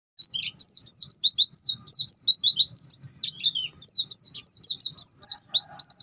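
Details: Long-tailed shrike singing in the bongkar isian style, meant as a masteran tutor recording: a dense, rapid run of sharp high chirps and slurred whistles, each note bending up or down, packed almost without pause for six seconds.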